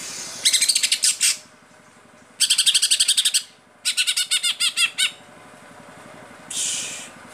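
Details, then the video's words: ['Caged greater green leafbird from Pemalang, Indonesia, singing gacor in the tembakan style: three rapid bursts of sharp, repeated high chattering notes, each burst about a second long with short pauses between, ending in a brief buzzy harsh note.'] "Cucak ijo gacor full tembakan"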